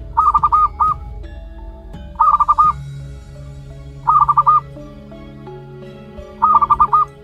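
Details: One-month-old zebra dove chick, local wild stock, repeating a clipped run of five or six quick notes four times, about every two seconds, over low continuous music.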